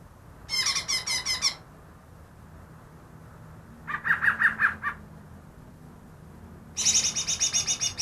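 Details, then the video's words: Greater green leafbird, caught two days before and said to copy ten bird species, delivers three separate bursts of rapid repeated notes. The first and last are high and harsh, and the middle one is a lower, softer rattle. "burung cucak ijo yang bisa meniru 10 suara burung lain"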